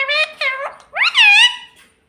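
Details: Pet parrot talking at home, mimicking words such as "mummy" and "papa": three short, clear, voice-like syllables with rich harmonics, the last one longer and rising then gently falling, in a quiet room.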